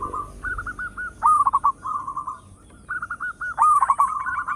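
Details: Local zebra dove with a loud voice used as a lure: short repeated coo phrases of quick choppy notes, each ending in a rising, bending coo, in two similar bursts.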